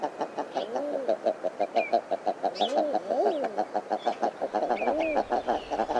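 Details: Common eider sounds: a fast, uneven run of short clucking notes, about three per second, mixed with a few soft arched coos rising and falling in the background.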